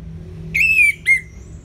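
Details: Orange-headed thrush, recorded as therapy audio for birds slow to sing: a drawn-out falling whistle followed by a shorter slurred note, clear and high with faint hum below.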